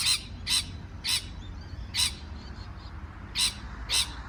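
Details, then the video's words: Parrot giving scratchy, broadband chirps at uneven gaps, some half a second apart, with a longer pause midway and faint softer notes between. "美丽的鹦鹉鸣叫beautiful parrot chirping sound call"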